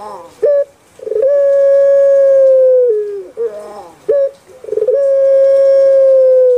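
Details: A kept Barbary dove (Streptopelia risoria), valued for its soft voice, gives a short coo followed by a long, smooth, drawn-out hum that sags slightly at the end, repeated twice.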